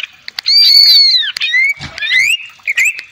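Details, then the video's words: Greater green leafbird song meant to provoke a rival into singing, with a long arched whistle, scattered clicks, then twisting slurred notes and a low brief rustle in the middle. "Pancingan Cucak ijo agar gacor,naik emosi,kongslet,nembak"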